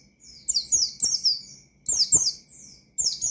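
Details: Oriental white-eye in provoking 'mangil lawan' song: two or three short volleys of thin, high downward-sweeping notes, quick and emphatic, with brief silences between.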